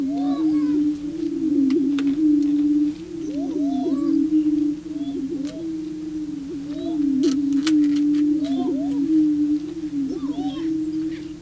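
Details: Male prairie chickens booming on the booming grounds to attract a female: sustained low hollow moaning drones that overlap continuously, broken by short rising whoops and cackles, with sharp clicks of a still camera.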